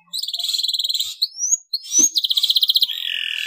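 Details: Yellow male canary singing vigorously, slightly in breeding condition: a fast, even trill of high notes, two quick rising whistled slides, then another rapid rolling trill that drops into a lower, buzzier trill.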